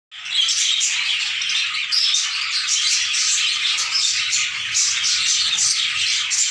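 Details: A newly established captive colony of sun conures keeps up a dense, continuous chatter of harsh, high screeches and chirps that overlap without pause.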